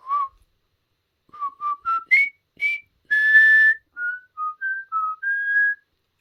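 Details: Pet common hill myna whistling its practice of the River Kwai March: a melodic run of clear notes rising to a long held tone, followed by a softer wavering phrase of lower whistled notes.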